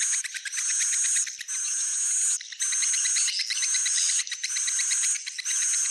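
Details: Swiftlets giving sustained high buzzy twitters, with clicking pulses underneath, in long bursts broken by short pauses about every second.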